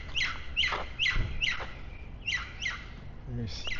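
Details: In a quiet residential neighbourhood of Mérida, Mexico, yellow parrots, perhaps three, give harsh, grating, slightly rising squawks about twice a second, over a low rumble of street and walking noise.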